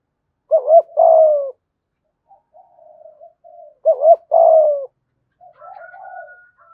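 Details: Spotted dove 'gù thúc' in the 'thổ' voice, used to call wild doves in; two loud doubled-then-drawn coo phrases about three seconds apart, separated by soft low murmuring coos.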